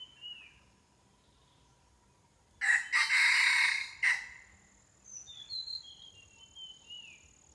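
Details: Red junglefowl during decoy hunting gives one loud, harsh, broken crow lasting about a second and a half. Thin, high, down-slurred chirps from small birds come before and after it over a quiet background.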